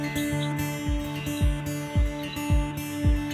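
Gentle plucked guitar music with steady low bass notes, and no animal voices.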